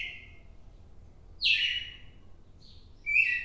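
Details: A red-cowled cardinal recorded on 4 December 2023 sings clear, bright whistled phrases, each sliding downward, spaced about every second and a half over a soft background hum.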